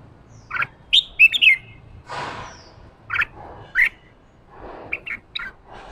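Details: Wild-caught red-whiskered bulbul being stirred to sing in the chattering ché style: short bright whistled phrases rising and twisting, given in bursts separated by pauses, with a soft rushing noise in between.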